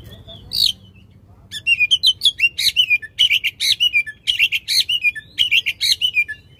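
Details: Oriental magpie-robin in loud, vigorous song with long rapid bursts, meant to prompt a silent magpie-robin to sing again: after a lone opening note, dense runs of sharp chirps and twisting whistled phrases repeat in quick pulses.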